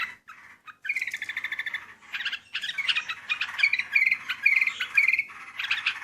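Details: Sooty-headed bulbul, melodious song for luring birds: after a few soft notes, a rapid series of bright chirps flows into varied warbling phrases with sharp, whistled accents.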